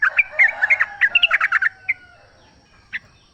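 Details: Wild yellow-vented bulbul singing in the forest, used as a lure to make caged birds sing: a quick burst of chattering, bubbly notes through the first two seconds, then a few isolated chirps over soft background hiss.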